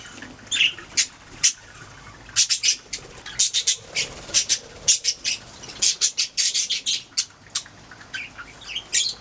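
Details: Pet budgies making sounds, a scattered series of sharp, high chirps and clicks in uneven bursts, some coming in quick pairs and triplets, with short quiet gaps between.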